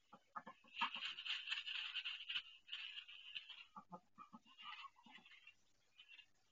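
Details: Duck on her indoor nest, in pain laying her first egg; a sustained harsh, rasping cry follows a few short clucks, then quieter broken calls trail off.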